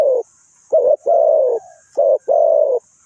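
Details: Spotted dove used as a decoy bird for trapping, giving low hollow coos around the middle range: a short note, then paired notes, each long note slightly falling, in two quick phrases over three seconds, with a faint high hiss behind.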